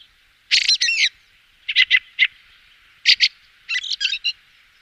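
Fieldfare giving harsh, dry chattering 'chack' notes in quick clusters of two or three, four bursts in five seconds; nothing else heard.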